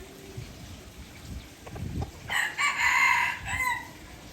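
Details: Junglefowl from Aceh, Indonesia, an F1 lure bird used for trapping, gives a harsh, buzzy crow of about one and a half seconds, rising in loudness and broken into several bursts, after low thumping noises in the background.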